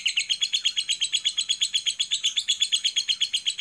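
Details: A lovebird gives ngekek chatter, a fast, steady stream of high, sharp chirps at about seven a second with no other sounds, offered as a master recording to train lovebirds or provoke them to sing.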